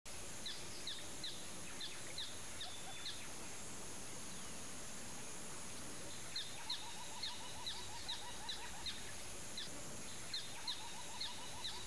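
A pair of white-faced whistling ducks gives clear, high whistles in quick bursts of several notes. A lower run of rapid notes and steady background noise accompany them.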